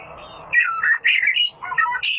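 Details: Little fellow, a rare bird, in a masteran recording: after a low hum, three bursts of quick, chattering high notes and squeaky whistled slides separated by brief pauses.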